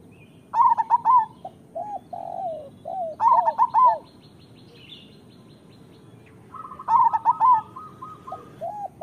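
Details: Three loud phrases of staccato, rippling coos from a local zebra dove, offered as training song for doves that sing little, separated by softer low coos and a level trill from other birds.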